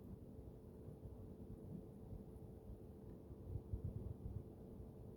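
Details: Low, steady rumbling noise, like wind or a distant engine, with a faint hum throughout and no clear animal sounds.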